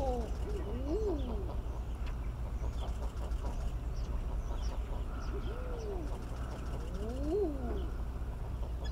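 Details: Eider ducks in early spring mating season give drawn-out, crooning calls that swoop up and down, in scattered groups of two or three, against a constant heavy low rumble.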